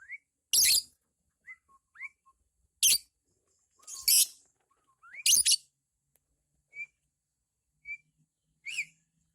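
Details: Pet lovebird giving a ngekek performance, said to be decent for beginners: short harsh, hissy chirps spaced about a second apart, with a few small rising squeaks between them and a faint steady thin whistle underneath.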